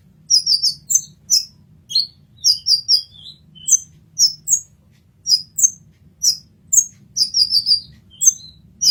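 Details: Masteran song of an olive-backed sunbird (kolibri ninja): busy sequence of high, squeaky chirps and short trills, some notes sweeping downward, with a quiet low background hum.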